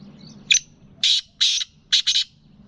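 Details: A hybrid black francolin, a Gangas lalpotia crossed with a Sindhi black francolin, gives a harsh, grating call: a short scratchy note, two longer rasping notes, then a quick doubled pair, all in about two seconds.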